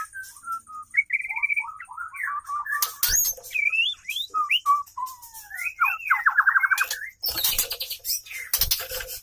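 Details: White-rumped shama mating, male courting female; soft whistled phrases and chattering trills, with a burst of clattering and thumping in the middle and near the end.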